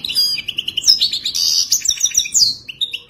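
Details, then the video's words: Wadani-style song of a Moroccan wild European goldfinch: a dense, fast stream of sweet twitters, liquid trills and sharp high chips without a break. "اجمل تغريد حسون وداني رائع جدا"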